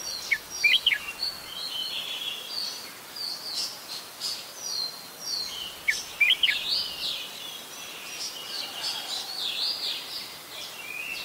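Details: Adult Red-whiskered Bulbul in Ubon Ratchathani, Thailand, recorded 16 December 2020: two short bright phrases of quick chirpy notes dropping in pitch, about five seconds apart, over a steady background chatter of other birds.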